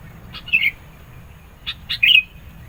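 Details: Sooty-headed bulbul in spirited song for luring and challenging rivals: two rich, rolling warbled phrases, each led by a short sharp chirp, with a brief pause between them.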